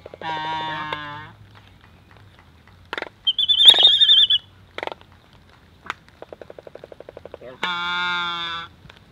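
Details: Pair of Laysan albatross, or mōlī, courtship dancing at close range on the forest floor at Kīlauea Point National Wildlife Refuge, December 12, 2023, with other birds nearby; long, harmonic, mooing groans open and close, between sharp bill clacks, a rapid rattling clatter and a brief high whistle.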